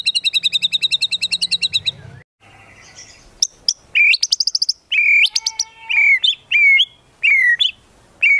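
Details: Medan-type White-rumped shama singing energetically with imitated phrases of cililin and grey-cheeked bulbul. A rapid high trill opens, then after a short pause come buzzy bursts and sharp upswept whistles, ending in repeated falling slurred notes.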